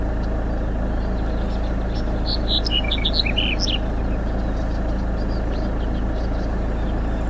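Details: On Lesbos in 2018, a Black-headed bunting gives one quick burst of bright, jangling chirps lasting about a second and a half, set against a steady low rumble of engine or wind.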